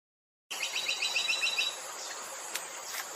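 A Buff-rumped woodpecker gives a quick, high, even series of about nine thin notes, a rattling trill lasting just over a second, before faint background hiss.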